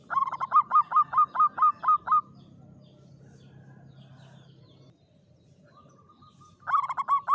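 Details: Caged local Javanese zebra dove in a classic Mataram-style cage, singing in the klowongan style: a fast run of about eight low cooing notes, a quiet pause, then another rapid burst of coos.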